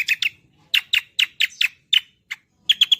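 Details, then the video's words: Green magpie (cucak kombo) song, recorded as a master track for training songbirds: sharp, bright chirps delivered in quick pairs and runs, with short pauses, ending in a rapid cluster of four clipped notes. "Gacoran Cucak Kombo"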